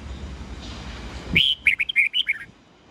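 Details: Red-whiskered bulbul singing at dawn in the 'old forest voice' 8 to 10 note style, meant to train juvenile white-cheeked birds: low rumbling noise first, then a lively phrase of roughly seven sharp, sweet whistled notes over about one second.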